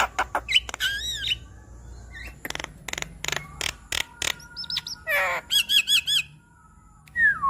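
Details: Javan myna in full 'gacor' song, played to coax a stressed bird into singing; harsh rasping bursts alternate with looping whistles, rising slurs and a rapid series of buzzy notes, with pauses between phrases.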